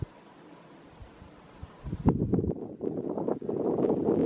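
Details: A Hairy Woodpecker boring a hole in a tree at Dog Canyon Campground, Guadalupe Mountains National Park, Texas, on 5 May 2016: irregular dull knocks and taps, about four a second, after a quiet pause, with light wind noise.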